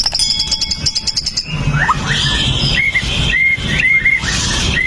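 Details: White-rumped shama (pastol) used to rouse other males into singing, recorded on a Xiaomi Note 8 Pro. Rapid high ticking notes open, then clear whistled phrases, short rising slurs repeated about every half second.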